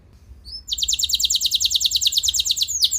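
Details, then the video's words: Canary song used to prompt other canaries into singing: two short high whistles, then an abrupt, dense, very fast high trill lasting over two seconds, with faint background noise. "Bakal Bikin Emosi Burung Kenari Lain Langsung Nyaut Gacor Ngeroll Panjang"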